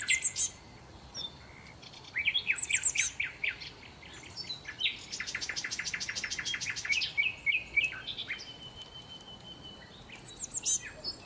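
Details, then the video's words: Sparrows at a Marsa Alam hotel coming to take their share of breakfast leftovers before staff clear the tables: lively bursts of sharp chirps and a fast rattling series of repeated notes, with quiet gaps between. "عصافير🐦︎ تأكل 🔊 صوت الطبيعة روعة|| Birds eat remains of food"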